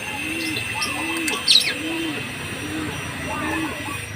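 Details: Green pigeon calling: a series of soft, arched whistled notes repeated about every half second, with fainter higher notes between, over a steady high hum and one sharp chirp.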